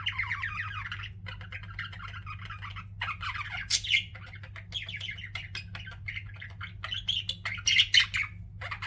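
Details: Several pet budgies chatter nonstop in a small room, mixing rapid warbling phrases, squeaky chirps and a few sharper squawks, over a constant low electrical hum.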